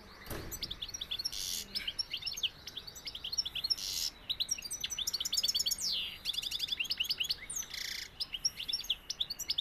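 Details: Sevillian European goldfinch song with continuous bright twittering, quick chirp series and trills broken by several harsh buzzy notes, an opening thump, and short pauses between bursts.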